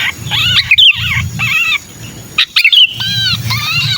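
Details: A trapped sooty-headed bulbul gives its lure distress call: grating, buzzy screeches with bent harmonics, broken by a bright shrill whistle, a brief pause, then more screeching over a low hum.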